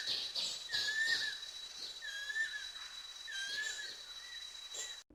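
Banded Kingfisher giving clear, slurred whistles, four or five in five seconds, each gently rising then falling. A steady high insect whine and other birds' chirps sound behind.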